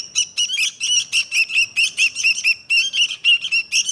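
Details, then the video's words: Sooty-headed bulbul singing a rapid run of short, harsh chattering notes, bright and buzzy, repeated in quick bursts about two per second with no other sounds. "Burung Kutilang Sakti"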